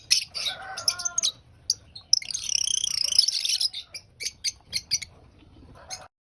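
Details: Lovebird chattering while eating breakfast: a run of high squeaky chirps, then a sustained buzzy rapid twitter lasting about a second and a half, followed by scattered sharp chips.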